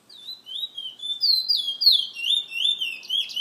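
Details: Bullfinch in captivity, owned by a San Fernando bird club member, delivering a continuous chain of high sweet whistles, sliding and looping notes rising then falling, over a quiet background.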